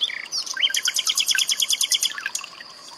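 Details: Common nightingale song mixed with trickling water for tutoring cage birds: a quick opening whistle, then a fast rattling series of sharp repeated notes for about a second and a half, over a constant high background tone.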